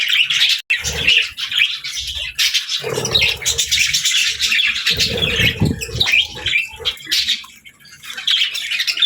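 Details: Budgies and lovebirds eating together give a busy flock chatter of sharp chirps and warbling twitters. Soft low thumps and rustles from movement come and go underneath.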